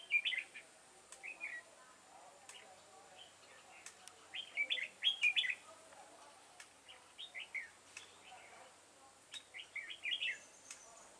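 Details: Red-whiskered bulbul called a devil-face bird, singing during trapping with a decoy bird on 22 September 2018. Short, bright warbled phrases come in bursts of two to four notes, with pauses between groups and scattered sharp clicks.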